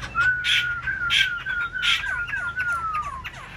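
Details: Black-throated laughingthrush in a cage, fanning wings and tail, holding one long, clear whistle that wavers slightly and slowly falls in pitch, broken by a few brief higher accents.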